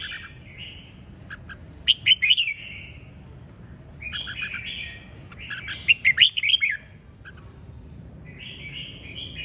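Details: Energetic red-whiskered bulbul song in the ché chẻ style: bright chattering phrases, each ending in a loud cluster of sharp warbled notes, repeating about every four seconds over a low background hum.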